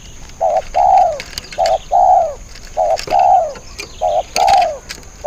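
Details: Spotted dove used as a decoy to lure wild birds: paired cooing phrases, a short note followed by a longer arched, falling coo, repeated about every second and a quarter, with a steady faint high whine throughout.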